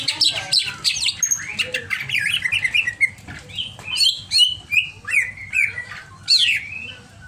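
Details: Over-emotional greater green leafbird pouring out a long varied song: rapid chirps giving way to a string of clear downslurred whistles, each about half a second apart.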